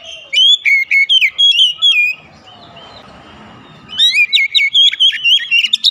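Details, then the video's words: Oriental magpie-robin (kacer) kept at home, singing as a lure to make other birds sing: loud bursts of sweet whistled notes, rising and falling, in quick phrases, broken by a quieter gap of low rumble. "terapi pancingan Kacer tanpa mengenal waktu | Kacer rumahan pasti gacor"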